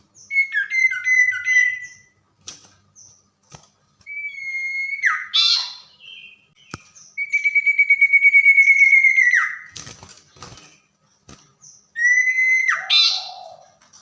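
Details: Tame common iora singing vigorously at night: a fast stuttered whistled trill, then several long level whistles, one pulsing rapidly, each ending in a sharp downward slur and a harsh rasp.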